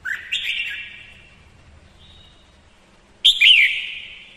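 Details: Female decoy red-whiskered bulbul whose song stirs up males; a rising whistled phrase opens, then a quiet pause, then a loud warbling burst trailing off.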